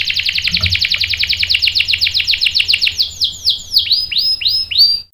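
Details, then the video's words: Canary song for provoking other canaries to sing: a fast rolling buzzy trill slowing into separate downward-swooping whistled notes, with a faint low hum throughout. "PANCINGAN KENARI GACOR bikin EMOSI jadi NYAUT NGEROL TAJAM | CANARY SINGING"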